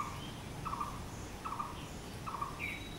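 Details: Blue-throated barbet, locally called bosonto bouri, giving short throaty mid-pitched notes, about four in three seconds, over steady low background hum and faint higher chirps.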